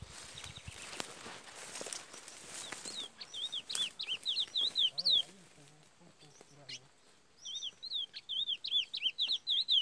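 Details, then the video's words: Curió delivering Parazão-style song after several seconds of low rustling and handling noise: bursts of clear, looping whistled notes repeated rapidly, a brief pause, then another run of bright whistles. "CURIÓ PARAZÃO"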